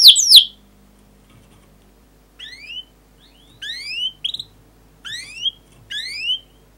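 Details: Canary; song; tutoring young canaries to learn song and prompting them to sing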